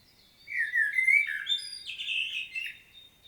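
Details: Common blackbird in Świnoujście, Poland, recorded 25 September 2022, delivering one continuous mellow phrase of clear, flowing whistles that rise and fall, closing with thin higher notes.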